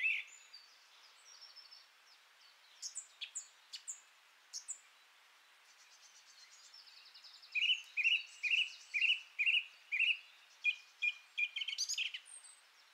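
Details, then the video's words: Song thrush (Turdus philomelos) singing: after a few scattered high notes, a clear fluted phrase is repeated about six times in quick succession, then a second, different phrase is repeated several times. "Birigarroa (Turdus philomelos), kantua"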